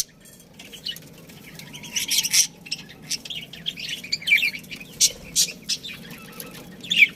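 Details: Breeding-pair budgerigars within a colony chattering: bursts of scratchy chirps and squeaks that grow busier after a quiet start, with a faint low tone early on.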